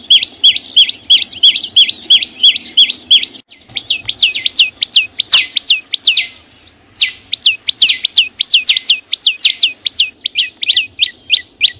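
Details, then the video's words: Flowerpecker in nature, free of background noise, giving evenly paced high hooked chirps for a few seconds, then a brief pause before a quicker, uneven burst of ringing downslurred notes that continues to the end. "Tiếng chim sâu xanh hót vang ko tạp âm"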